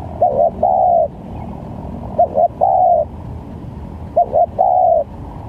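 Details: Spotted dove call meant to lure doves into traps, varied sounds: three evenly spaced phrases of two short coos and one longer descending coo, about two seconds apart, faint low hum behind.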